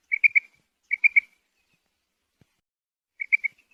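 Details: Calls of a female quail, known locally as batair or bedana: crisp whistled triplets, two phrases in quick succession, then a pause before a third, with no other sounds.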